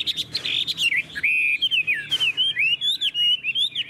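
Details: Tame caged Chinese hwamei singing: loud fluty whistles sliding up and down in quick succession after a few harsh notes, with one brief noisy burst midway.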